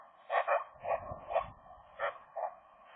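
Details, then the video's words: Young Eurasian magpie couple courting in the nest during winter: soft nasal yelping notes, often doubled, spaced about half a second apart over a faint continuous chattering hum. "magpies, short flirt inside the nest in January"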